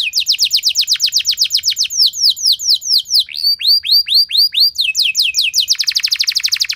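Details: Canary delivering a long, loud lure song for getting other canaries to sing: quick sequences of downward-swept whistles, a slower run of arched notes, then a fast dense trill.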